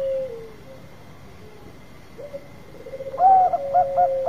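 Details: Bangkok zebra dove lure song: faint low notes, a near-silent gap, then a building purr breaking into a run of loud rhythmic staccato coos at the close.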